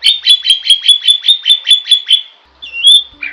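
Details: Jalak (starling) in lively 'gacor' song used for masteran: a fast train of about eleven sharp, repeated chip notes roughly five per second, then a brief pause and a rising, slurred whistle ending in a lower note.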